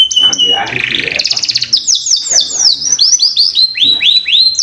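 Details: Canary song used as a lure to get young canaries singing quickly: loud, high, bright song opening with steady whistled notes, then a dense buzzy rattle, then a fast run of sweeping, swooping notes repeated about four per second.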